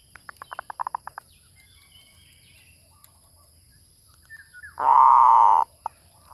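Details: Zebra dove lure call with a run of about ten short staccato coos, a pause, then one long, loud, rolling buzzy coo and a single short note after it.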